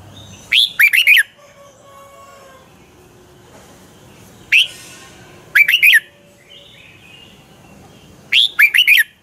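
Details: Red-whiskered bulbul from Thailand's Pa La-u forest sings doubled-style phrases: a rising whistle and a quick run of burry notes, repeated about every three seconds, with a lone whistled note and quiet chirps between.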